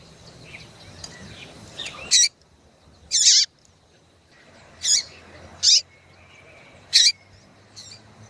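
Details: Female yellow-bellied seedeater calling to excite males: short, loud, buzzy high chips, five bursts in about eight seconds at uneven gaps, with faint thin whistles and a low steady hum behind.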